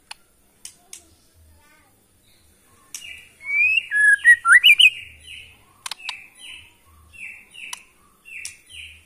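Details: Borneo white-rumped shama from Kalimantan forest singing to provoke other shamas: a short burst of clear rising and falling whistles, followed by soft repeated buzzy notes and occasional clicks.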